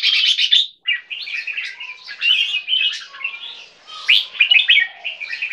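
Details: A two-year-old caged crossbreed bulbul (Asian black bulbul line crossed with red-whiskered bulbul) singing a busy run of squeaky, chattering and slurred nasal notes, nearly continuous and high-pitched, with other bird voices possibly mixed in.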